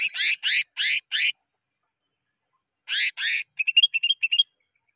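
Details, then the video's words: Greater green leafbird song used as a lure for training caged birds: four harsh, buzzy broadband bursts, a pause, two more bursts, then a quick run of short high whistled chips. "Cucak Ijo Merdu suara Gacor Ampuh Buat Pancingan"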